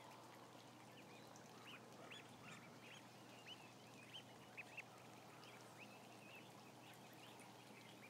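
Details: A mass of about a thousand ducklings; scattered short high chirps, some standing out as louder single peeps, rise above a continuous background hum and murmur.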